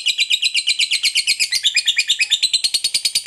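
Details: Long ngekek trill from a fighter lovebird, sung to provoke rival lovebirds: dense, rapid run of piercing, grating chirps, evenly pulsed and continuous.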